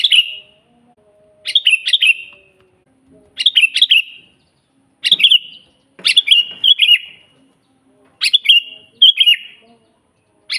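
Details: Wild sooty-headed bulbul singing energetically, a natural recording for teaching captive birds: short chattering, bubbly phrases of slurred notes repeated roughly every two seconds, about seven bursts in a row against a quiet backdrop.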